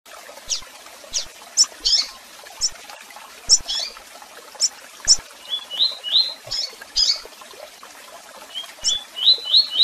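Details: Double-collared seedeater singing the tui tui song style with chirps and calls: sharp high chirps early on, then short rising whistled notes in quick runs of three or four near the end.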